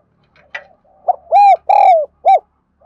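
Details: Spotted dove cooing for training wild-caught and decoy birds: a sharp click and soft murmur lead into a loud phrase of a short note, two long hollow coos and a brief final note, all rich in overtones.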